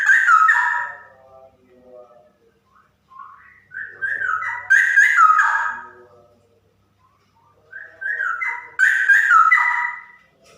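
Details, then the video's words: Loud, liquid whistled phrases from a female straw-headed bulbul in 'super ropel' style, three rich warbling bursts rising and falling, separated by short pauses, the last ones strongest. "Burung Cucak Rowo Betina Super Ropel"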